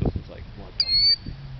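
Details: A killdeer in a parking lot at dark, feigning injury to lure people away from its nest, gives a single shrill, high call, level then slightly falling, about a third of a second long, with low thumps and muffled voices around it.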